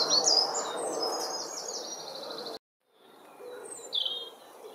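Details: Great tits feeding, breaking up food with their beaks, give a rapid run of high, thin chirps and buzzy notes, then a brief gap and one sharp call, over a steady low background rumble.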